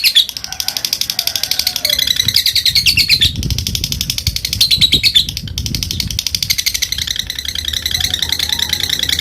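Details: Fighter lovebird chattering to provoke rivals, with ngetik and long ngekek: repeated fast, high-pitched rattling trills in several bouts, separated by brief breaks, with faint low thumps beneath.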